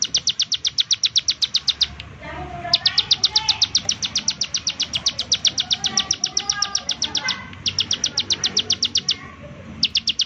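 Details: Bar-winged prinia call played as a lure to make other prinias sing: rapid series of sharp high chirps, about four per second, in bursts broken by short pauses near two, seven and nine seconds, over faint background birds.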